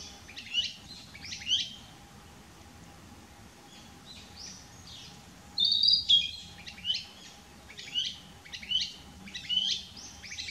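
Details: On 6 May 2016 a Narcissus flycatcher sings from a dead branch, moving between several song posts, giving short, high, bright whistled phrases about once a second, some rising, with brief quiet gaps.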